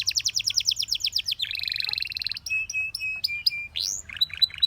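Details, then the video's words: Canary singing a varied song: a fast series of descending chirps, then a buzzy trill near two to four thousand, steady whistled notes, an upswept note and short repeated chirps. "The Most Beautiful Canary Chirping Sounds"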